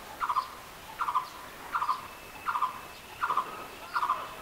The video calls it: Sweet voice of Blue-throated Barbet bird || বসন্তবৌরির ডাক